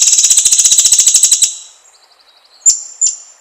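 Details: White-rumped shama lure song meant to rouse other shamas: a fast, even rattling series of high buzzy notes for about a second and a half, a faint ticking run, then two sharp whistled notes.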